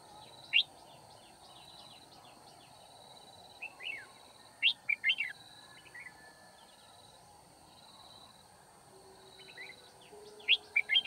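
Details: Red-whiskered bulbul during trapping on 9 February 2019, scattered sharp chirps and short fluty phrases over about eleven seconds, loudest in a burst of four quick notes midway and another cluster at the end.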